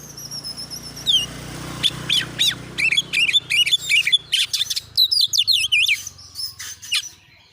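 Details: Oriental magpie-robin (kacer), an agitated champion bird, gives a persistent 'nembak' lure song used for training: a long high whistle, then dense runs of fast, looping, slurred notes over low background hum.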